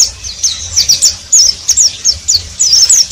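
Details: Oriental white-eye's ngeriwik twitter: short high, sweet slurred chirps in quick succession, each a rising-then-falling squeak, several per second without stopping.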